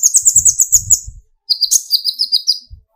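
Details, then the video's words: Young sunbird (kolibri ninja, konin) singing to stir other birds: quick high, thin twittering notes in a fast run, a brief pause, then another sharp burst of rapid chirps; soft low thumps underneath. "burung konin gacor pancing tembakan konin"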